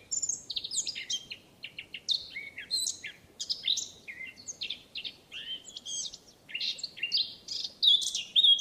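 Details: Eurasian blackcap in France, a free bird, singing a long, busy series of crisp clicking and twittering notes, ending in a few pure, drawn-out whistles.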